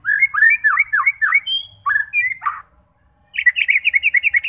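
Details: White-rumped shama song aimed at making fighter birds sing: swooping whistled phrases, a harsh rasp, a brief silence, then a rapid burst of repeated chattering notes.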